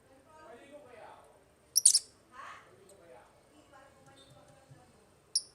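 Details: Pet African lovebirds in an aviary utter sharp, high chirps, a quick double burst mid-clip and another at the end, while softer murmuring voices sound faintly underneath.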